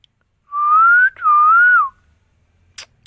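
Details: Green parrot in India, kept as a talking bird, gives two smooth clear whistled notes, the first rising slightly, the second wavering and falling, followed by a couple of faint clicks.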